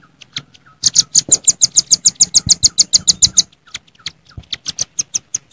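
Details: Velvet-fronted nuthatch calling rivals in the wild with the 'jontrot' call: a fast, even rattle of about seventeen sharp high chips in under three seconds, then a pause and a looser, slower series of chips.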